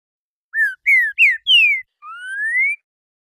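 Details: A green-winged saltator gives the classic four-note song, in a style called "renegado", with a "boi" variant mentioned: four short, clear, downslurred whistles in quick succession, then one long rising whistle. No other sounds.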